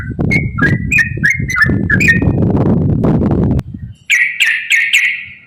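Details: Yellow-vented bulbul's gacor ropel song, played to prompt other bulbuls into singing, gives quick, choppy slurred whistles over heavy low rumbling noise, which stops abruptly before four clear, bright, repeated notes.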